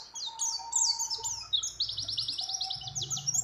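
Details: Mountain white-eye female in breeding condition calling a male, with other birds' phrases added. Quick high chirps lead into a rapid, even buzzy trill; a steady mid tone and background noise run beneath.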